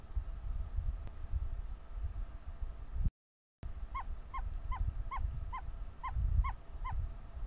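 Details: An ostrich chick named Leo, very vocal while hatching from its egg, gives a run of about eleven short, clear peeps, roughly three a second, over a low background rumble.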